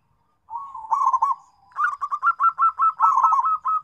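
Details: A local zebra dove calling companions opens with a soft drawn coo and a short trill, then delivers a long, regular sequence of rising, pulsing coos, roughly four per second.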